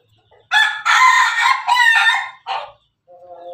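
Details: Crossbred rooster mixing Ayam Ketawa (laughing chicken), Pelung and Bangkok lines, crowing: a long, loud, harsh multi-part crow broken into several rolling, stuttering segments, ending in a short final burst, then a faint low hum.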